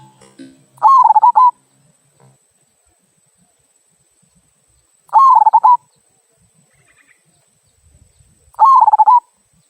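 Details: Local zebra dove giving its "kung" song, used to prompt other birds to sing: three cooing phrases, each a held note followed by quick pulsed coos, spaced about four seconds apart, with faint low rumbling at the start.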